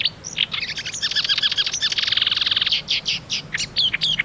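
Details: Marsh warbler, called the Polish lyrebird for imitating other birds, singing a rapid, unbroken jumble of varied high chirps, trills and buzzy notes, many elements repeated quickly in short runs, with low background rumble.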